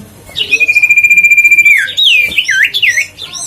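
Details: Huyt co bird calling to excite and lure birds: a clear level whistle held over a second, dropping into rapid looping, slurred notes.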